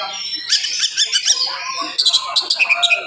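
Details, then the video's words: Fast, dense morning song of an oriental magpie-robin, used to excite and provoke other magpie-robins. Harsh, scratchy notes and quick whistled chirps in a tight burst, closing with repeated short sharp notes. "SUARA KACER GACOR DIPAGI HARI SPEED RAPAT cocok untuk naikin emosi kacer yang dengar"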